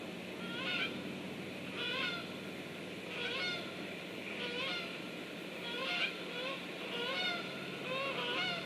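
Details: Geese flying over on 8 September 2013, giving honking calls about every 1.2 seconds. The calls sound distant over a steady background hiss.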